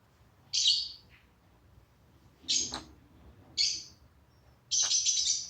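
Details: A bird kept as a pet making funny noises for its laughing owner: four shrill, rasping notes at uneven gaps, the last one drawn out longer than the rest.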